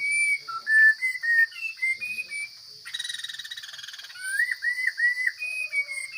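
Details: Wild Chinese hwamei singing: varied clear whistles, a second-long harsh buzzing rattle, then rising slurred whistled phrases, over a steady high-pitched hiss.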